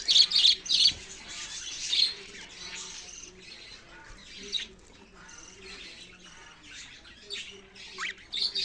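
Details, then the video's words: Steady budgie chirping, busy and overlapping. Bursts of loud, squawky chirps open the clip and return near two seconds. Quieter twittering fills the middle, with a few sharp notes at the end, and a soft hum lies beneath. "parrot sounds and chirping sounds"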